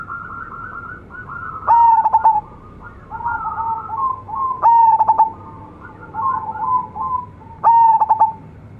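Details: Local zebra dove singing actively with a big, luxurious voice: three loud stuttering coo phrases of quick pulses ending in a drawn-out note, about three seconds apart, with softer rolling, trilled coos in between.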